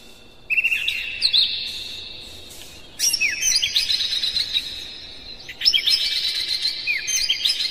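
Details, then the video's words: Oriental magpie-robin bait song, dense and hard, played to make other magpie-robins sing and spread their tails; three loud phrases of fast, slurred high whistles and chattering notes starting about every two and a half seconds. "Suara PANCINGAN KACER paling gacor KONSLET Buka Ekor bongkar MATERI KERAS PADAT agar KACER emosi"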